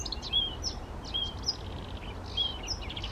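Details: Blyth's reed warbler male, Czech Republic, June 2014, singing unprompted beside a pond near Těchařovice: high pure whistles alternating with soft rasping notes, each short phrase recurring about once a second against persistent low background hum.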